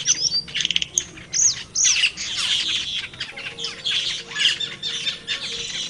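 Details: Wild black-winged mynas give a rapid run of sharp chips, then raspy squawks and scratchy chatter from several birds at once, with a faint steady hum underneath.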